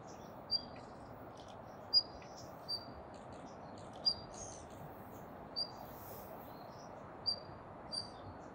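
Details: At Kasai Rinkai Park, a Daurian redstart repeats a piercing, thin whistle about every second, eight times in all, with quieter ticking notes scattered between them.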